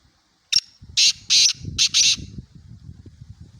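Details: Black francolin calling in Pakistan: a sharp note, then a loud run of four harsh, buzzy, rasping bursts in about a second and a half, with faint low rustling and background noise beneath.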